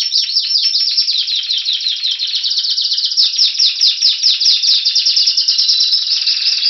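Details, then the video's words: Spanish Timbrado canary in Anavissos, Greece, February 2016, waiting for spring: high, fast song of repeated downward-sweeping notes, about two or three per second at first, then a tighter rolling trill with a thin sustained tone. "Canario Timbrado Espanol esperando la primavera"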